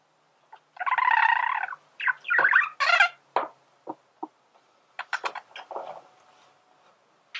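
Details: Male budgerigar gives a buzzy, grating warble phrase and a few squeaky notes, then a loose series of soft clicks and ticks.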